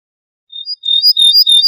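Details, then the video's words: Ortolan bunting singing, recorded for a birdsong CD: after a short pause, a thin whistle leads into a fast series of bright, ringing, high-pitched notes, with a clean silent background. "طائر درسة الشعير(البوح)Bruant Ortolan"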